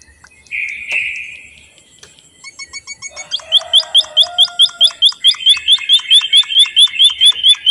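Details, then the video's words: White-headed munia in full song. It starts with a blurred, noisy passage and soft clicks, then settles into a rapid, even series of bright, hooked chirps repeated about four times a second until the end. "suara burung emprit bondoh haji gacor"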